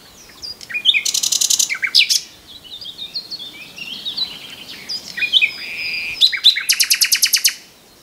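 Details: Common nightingale song with varied phrases: bursts of very fast buzzy broadband pulses, whistled slurs and chirps, ending in a loud rapid rattling series of repeated notes.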